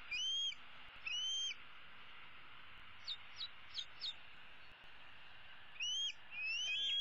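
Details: Young bald eagle, the older eaglet of 2016, roosting in a tree and calling for food from her parents, April 2016: two rising whistles, then a cluster of short high chips, then more rising whistled calls.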